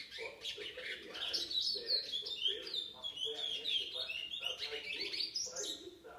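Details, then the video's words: Chestnut-bellied seed finch, a seven-month-old brown-form bird recorded in August 2019, singing steady warbled phrases of sliding whistles and fast chattering notes, rising in intensity toward the end. "Curió Pardo - 7 meses"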